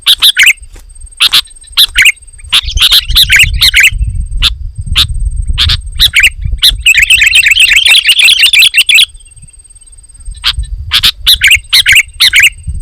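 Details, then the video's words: Spaced sharp chirps and a dense, bubbly burst of chirping from a sooty-headed bulbul whose loud song is said to provoke other bulbuls to sing, with low rumbling background noise. "Suara Burung KUTILANG GACOR, Rapat dan Lantang Menekan Lawan Burung Kutilang Lain Auto Emosi"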